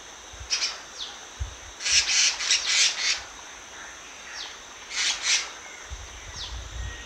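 Black-naped monarch giving harsh, raspy high-pitched bursts in short clusters, with a few thin downslurred notes between them; faint low rumble in the background.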